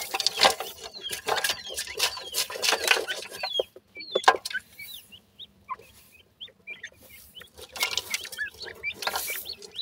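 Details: Grey francolin chicks (desi teetar) at the nest while feeding: loud rustling and scratching at first, then a clear run of thin, high peeps with short upward or downward slides before the noise returns.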